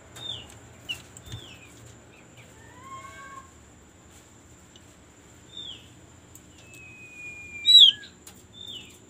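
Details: Lure recording of opyor white-eye meant to prompt birds to sing fast: scattered short descending whistled notes, a pair of lower rising slurred phrases, a long level thin whistle and a loud burst of sharp chirps near the end.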